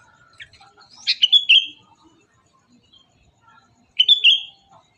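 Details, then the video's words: Morning birdsong with a cluster of quick, piercing chirps and short downslurred whistles, a pause of quiet, then a second shorter burst of the same bright notes. "Burung Berkicau Di Pagi Hari"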